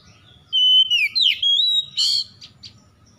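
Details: An oriental magpie-robin sings at dawn, loud and varied: a long steady whistle that bends into twisting notes, a second drawn-out whistle, then a scratchy burst and a few soft chips.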